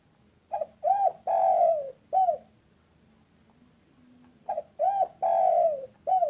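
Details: Local spotted dove, energetic 'kuk satu' caller used as lure audio for bird trapping: two identical four-note cooing phrases about two seconds apart, each with a long falling central coo, separated by a quiet gap with low hum.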